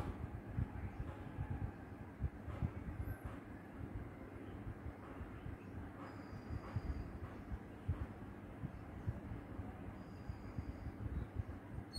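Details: Only a steady low rumble of train or vehicle noise is heard, with no clear animal sound.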